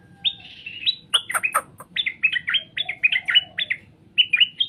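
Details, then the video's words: Straw-headed bulbul pouring out quick, rich whistled and gurgling notes in repeated clusters, briefly interrupted by sharp clicking sounds, over a faint low hum. "Suara burung cucak Rowo di jamin langsung nyaut"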